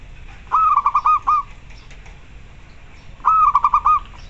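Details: Local zebra dove call used as masteran for training other doves and boosting breeding urge; two bursts of rapid staccato cooing notes, each around five pulses, separated by nearly two seconds of quiet.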